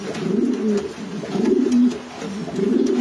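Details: Loud, rolling coos from racing pigeons inside their loft, three deep bubbling phrases about a second apart with brief lulls between, slight rustle in the background.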